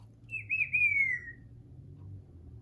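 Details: A 35-year-old female Congo African grey parrot kept as a pet: one clear whistle of about a second that wavers, then slides gently downward. A faint low hum continues underneath, with no other voices.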